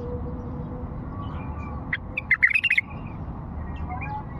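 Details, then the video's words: An old Fao bulbul, an elderly bird, gives a lone introductory note, then a fast cluster of bright, liquid notes lasting about half a second. A constant low droning hum sits underneath. "اجمل لغات بلبل فاوي قديم"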